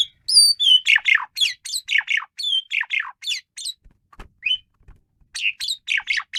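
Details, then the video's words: Wildly energetic Asian pied starling song: rapid harsh, buzzy chattering notes mixed with high whistles, about four per second, a short pause with a soft thump, then the chatter resumes. "jalak suren menggila"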